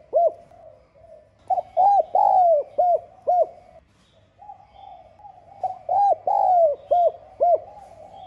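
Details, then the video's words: Spotted dove calling, with two phrases of soft, hollow, low cooing, each a quick run of rounded coos with one drawn-out note, separated by a brief pause. "Tiếng Cu Gáy GIỌNG SON [ GÁY GỌI - THÚC ]"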